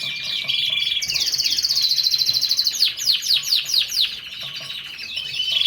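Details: Lancashire canary song opening with a steady whistled tone, then a fast buzzy trill of rapid repeated notes, followed by a series of sharp descending slurred chirps.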